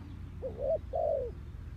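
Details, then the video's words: Spotted dove calling clean for lure trapping: a single two-part coo, a short wavering note and then a longer drawn-out falling note, set against quiet low background noise. "Suara Burung Tekukur Bersih Cocok Untuk Pikat"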